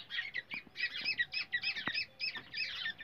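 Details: Black francolin calls recorded in India for luring and trapping, described as a baby francolin voice: dense bursts of overlapping high squeaky chirps in quick pulses, several callers at once.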